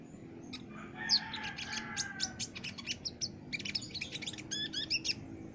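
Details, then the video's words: Lively Olive-backed sunbird song for tutoring caged birds, with dense runs of high, thin chirps and quick upswept tweets. A lower drawn-out tonal sound runs beneath the opening, then rapid clustered twitters follow toward the end. "masteran burung konin gacor dor"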